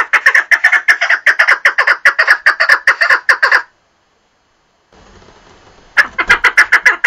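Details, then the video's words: Partridge calling in a loud, rapid series of harsh, clipped chuck notes, about two or three a second, that breaks off into more than a second of silence, then faint hiss, before the same rhythmic chucking starts again. "Mükemmel Keklik Sesi 3 / Perfect Partridge Sound"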